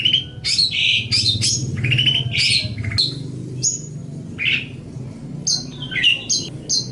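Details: Long-tailed shrike, recorded as a master song for training birds, giving a varied medley of notes: harsh buzzy phrases, short whistles sliding up and down, and scattered high chips, over a low rumbling background.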